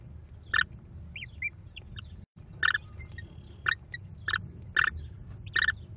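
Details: American kestrel mother feeding her five chicks at a Cornell nest, 18 May 2021; loud rasping screeches repeated roughly every half second to second, with faint whistles between, over low steady background noise.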